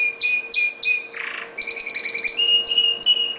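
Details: Pet red factor canary singing indoors: quick downward-sweeping whistled notes repeated about twice a second, a brief harsh buzzy burst, then a run of fast trilled notes and higher whistled phrases, with a steady low electrical hum underneath.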